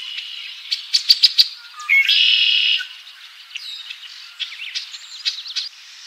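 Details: Red-winged Blackbird at Ottawa, Ohio, USA, 8-5-2023: a few sharp clicking chips, then a harsh, buzzy trill lasting under a second, followed by scattered high chirps and whistles from nearby birds.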